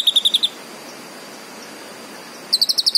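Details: Green leafbird song with a fast burst of five bright notes, a two-second gap of quiet hiss, then another rapid high burst.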